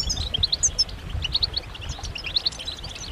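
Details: European goldfinches calling to stimulate males to sing: short, clear, high chirps and tinkling notes come in small bursts, separated by quieter gaps over a faint low hum.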